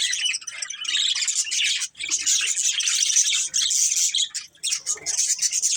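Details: Budgerigars from a family group keep up a continuous busy chatter of high, buzzy chirps and squeaky warbles, layered and overlapping with only the briefest dips.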